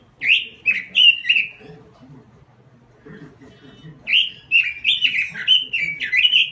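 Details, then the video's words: Lively 'gacor' robin song: a short burst of quick looping whistled notes, about two seconds of near silence with faint low background sound, then a longer run of rapid slurred warbles. "SUARA BURUNG ROBIN GACOR"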